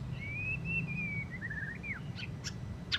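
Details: Post-moult white-rumped shama (murai batu) with rough ngeriwik chatter: one long, level, thin whistle drawn out for over a second, then a few short slurred notes dropping away, and three sharp clicks closing the phrase.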